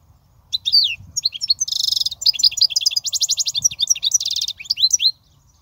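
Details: European goldfinch, sung as a lesson for young goldfinches: a continuous run of about four and a half seconds of sparkling high twitters, rising slurred notes and repeated buzzy rattling trills, in a clean, quiet recording.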